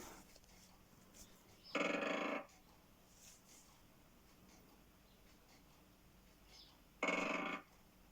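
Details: Great Spotted Woodpecker drumming, a recording played back twice; two short, fast rattling rolls, each under a second and several seconds apart, over a quiet background.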